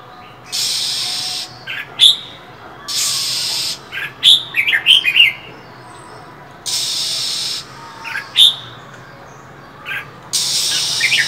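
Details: Caged-style female than songbird in cold winter alternates long, harsh hissing bursts with scattered sharp, high chirps and short chattering clusters between them.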